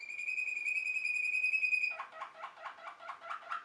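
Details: Belgian Waterslager canary song: a long pure whistle held for nearly two seconds, then breaking into a fast run of bubbling, water-like notes.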